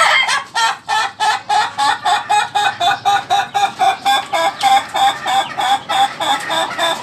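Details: Ayam ketawa (laughing chicken) giving a long run of rapid, evenly spaced laughing syllables, about three to four per second, each a bright harmonic burst, the pulses slightly uneven in loudness.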